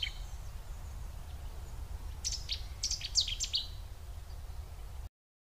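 A Cetti's warbler bursts into its loud, explosive song: about a second and a half of sharp, ringing notes, over a steady low rumble.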